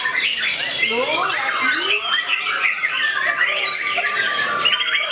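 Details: White-rumped shama confronting a rival, a loud torrent of slurred whistles, clipped chips and rolling trills delivered at high speed, with a few lower swooping notes near the start.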